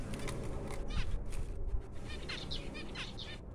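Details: Newborn finch chicks giving faint, high, harmonic-rich chirps in short scratchy bursts, most bunched near the end, over a steady low hum.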